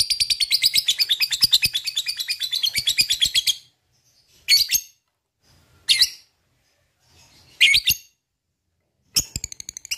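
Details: Lovebird giving its long rattling ngekek song, meant to provoke other lovebirds into singing: a fast buzzy chatter lasting over three seconds, then short harsh bursts separated by silences.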